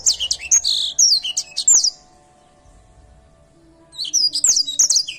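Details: Energetic song of an Edel Sanger canary: fast high chirps and rolling trills, silence for about two seconds, then another burst of bright, quickly repeated notes with a faint low tone beneath.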